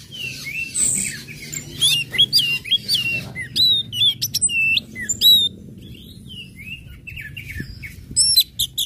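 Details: Orange-headed thrush singing in the ngecip, ngecit and ngeplong manner, used to spur birds in breeding condition into song; clear, high hooked whistles repeated in quick sequences, some dropping sharply, with a steady low background hum.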